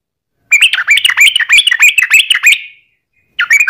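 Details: Sooty-headed bulbul lure song: a two-second phrase of rapid, bubbly, slightly buzzy notes, then a short pause and a new phrase starting.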